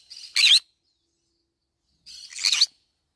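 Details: Green-cheeked conure, feeding on banana leaves, makes two grating, rasping squawks, each starting softer and swelling into a harsh burst, separated by a quiet pause of under two seconds.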